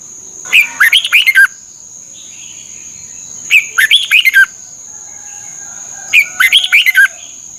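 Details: Thai red-whiskered bulbul song used for training birds each morning: three bright phrases of rapid, slurred whistles, each about a second long and separated by pauses of about two seconds, with a constant thin high tone behind.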